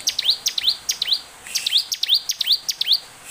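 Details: Energetic bar-winged prinia song for luring other birds into song: two bursts of rapid, high, upward-flicking notes, several to a second, with a brief gap between them.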